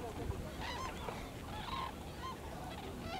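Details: A flock of white-naped cranes at Junam Reservoir, South Korea, feeding in fields and flying overhead, gives loud honking trumpet calls, several overlapping in about three seconds, over a steady low rumble.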